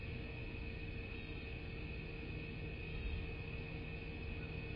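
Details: Low rumble with a steady electrical hum and constant background noise, no animal calls heard.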